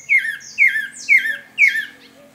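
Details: Pale-breasted thrush giving four husky, down-slurred notes about every half second with a thin high overtone, recorded free in the wild; possibly its stronger, drier year-round call rather than the melodious breeding song; nothing else heard.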